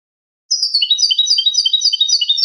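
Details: Captive European goldfinch singing a clean song used to teach other caged birds: rapid high twittering phrases, trilled notes sliding between upper and lower pitches, continuous after a short silent start.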